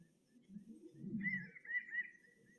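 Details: A Pinyon Jay's quieter typical call, played back indoors: a quiet, nasal, drawn-out mewing call in the second half, after a stretch of low murmuring room noise.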